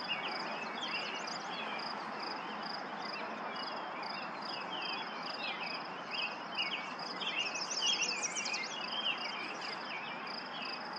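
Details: Singing yellow warbler, Lauritzen Gardens, Douglas County, Nebraska, May 28, 2024: one fast, bright, high-pitched phrase of clipped notes late on, preceded by a busy mix of lower bird chirps, a steady high pulsing drone and background hiss.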